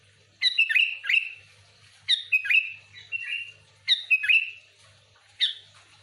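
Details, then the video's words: Lively, genuine sooty-headed bulbul song meant to lure other bulbuls: four loud phrases of liquid, downward-slurred whistles, each about a second long and separated by roughly one-second gaps, over faint low hum. "Suara burung kutilang gacor full Asli,,cocok untuk pikat Kutilang ribut"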